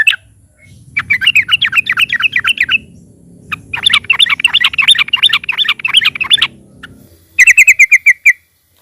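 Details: Yellow-vented bulbul, known as trucukan, singing loudly to stir other birds into song: long runs of rapid, rolling, wavering notes over a low background rumble, then a short ringing trill.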